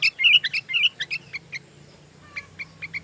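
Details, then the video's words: Sooty-headed bulbul recorded as song filler for magpie robins: a loud bubbly burst of chirpy whistled notes, then scattered short sharp chips that fade toward the end. "MP3 suara kutilang isian Kacer"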